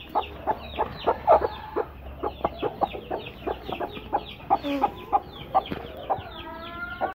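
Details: A pair of broody hens sitting side by side keep up soft, evenly spaced clucking, with occasional louder notes and a drawn-out tone toward the close.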